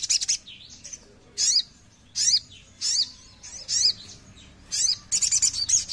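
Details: ['Oriental magpie-robin singing short, high, sweeping whistled phrases with sharp chips, repeated roughly every second, ending in a faster run of chirps.']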